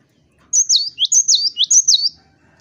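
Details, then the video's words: Cinereous tit in strong song, intended to provoke rivals to sing: about five piercing, high whistled phrases in quick succession, each a sharp upper note sliding down to a lower one. "Pancingan Suara GELATIK BATU GACOR Ampuh Pancing Bunyi LAWAN"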